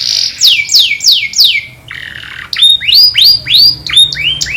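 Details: Canary master singer calling friends during fights: bright downslurred notes repeated three times a second, a brief low buzz, then clear arching upslurred whistles repeated in a steady series.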